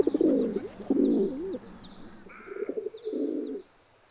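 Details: Feral pigeon (Columba livia) giving gurgling, wavering low coos, then a softer trailing coo; a brief higher tonal note and faint thin chirps from other birds are heard.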